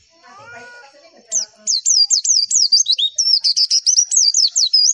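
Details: Lively Javan white-eye masteran song meant to make other white-eyes reply: after a soft lower murmur, a quick series of sharp, high, down-slurred chirps repeated almost four times a second.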